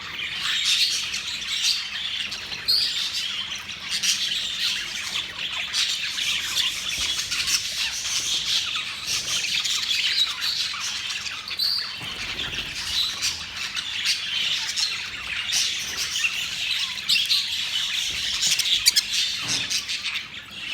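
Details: A flock of budgerigars feeding on their evening soft-food meal of egg food, seeds and herbs at 6 pm keeps up a busy, overlapping stream of high chirps and scratchy squawks.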